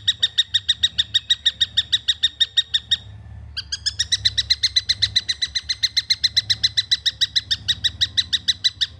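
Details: Young long-tailed shrike giving dense, harsh chirps in quick succession, a short pause after three seconds, then a longer, slightly brighter and louder run of rasping notes; low hum underneath.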